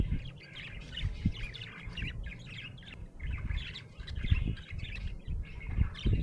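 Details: Happy budgerigar warbling and chirping steadily, dense chattering phrases with brief pauses, over a low rumbling background with occasional taps.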